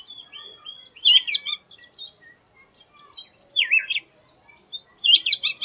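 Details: An Oriental magpie-robin (doyel in Bengali) gives an unusual song of soft, scattered whistles broken by three louder bursts of quick, wavering, twisting chirps.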